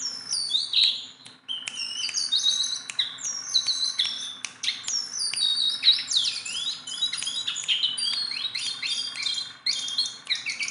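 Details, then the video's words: A tame, hand-handled Sunda bulbul sings constantly, a dense stream of high, sharp, whistled notes. The notes slur up and down and overlap in quick, varied phrases, with a faint low hum underneath. "BURUNG JONGKANGAN GACOR TELER JINAK PETETAN"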